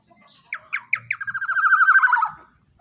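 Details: Black-naped oriole, long-burst lure sound used to tutor other songbirds: four spaced, sharp introductory notes quicken into a loud, buzzy, rapid trill that slides gently downward and fades after about a second.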